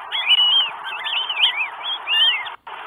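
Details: Northern goshawk, Estonia, 12 May 2022, with a bird arriving with food: a brief stretch of continuous, wavering whistled calls that slide up and down, cut off abruptly near the end.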